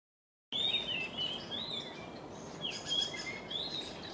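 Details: A Japanese grosbeak sings from within a flock perched high in a tall tree. Clear, fluting whistled notes rise and fall over a steady hiss of background noise after a brief silent start.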